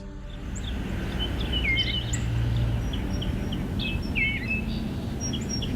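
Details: Eastern Bluebird (Sialia sialis), a bird of the Northeast, calling with soft, short warbled notes that slur downward, scattered irregularly over a steady low rumble.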